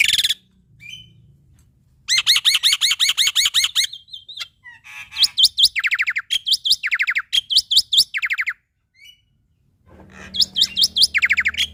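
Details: Full repertoire of a male Black-winged Starling, played to coax lazy or young starlings into singing: long runs of fast repeated buzzy notes broken by short silences, with sharp whistled chirps between.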